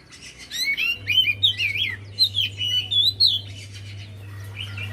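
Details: A Javan white-eye's lure song, meant to prompt a quiet bird to start singing: a rapid run of bright, chattering, slurred whistles for about three seconds, then softer notes, over a low hum.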